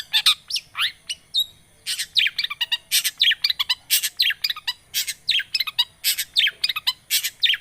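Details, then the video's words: Long-tailed shrike song used as a lure: dense, fast run of harsh chirps and downslurred whistles, nearly continuous, about one note each second or faster. "Pancingan Cendet Macet,putar 1detik dijamin pasti ikut gacor"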